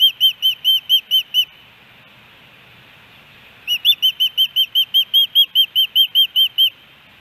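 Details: Osprey calling at its Hellgate Canyon nest in Missoula, Montana, July 13, 2018, a three-fish day; a burst of loud whistled chirps, a two-second pause, then a longer even series, about two and a half per second.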